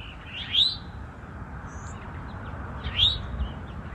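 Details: Eastern towhees, male and female, in woods, with the male defending a nesting territory: two clear upslurred chirps about two and a half seconds apart, with a faint low rumble underneath.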